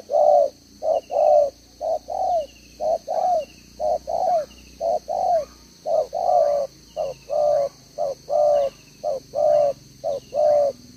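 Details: Spotted dove used as a decoy, double-row necklace, repeating its 'gáy 1 hậu' single-ending coo on 11/6/2023: long run of some twenty hollow, low coos in paired short-long phrases at an even pace, faint high hum throughout.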